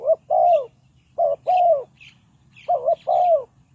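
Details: Spotted dove, kept as a decoy to lure wild birds into a trap, giving three quick phrases of mellow cooing. Each phrase is a short wavering note and a drawn-out falling coo, accompanied by faint high twitters from other birds.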